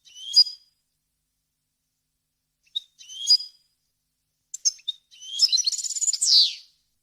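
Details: European goldfinch giving clean song for training chicks. Sparse, bright, slurred chirps separated by pauses, then a short twittering phrase ending in a buzzy downward sweep.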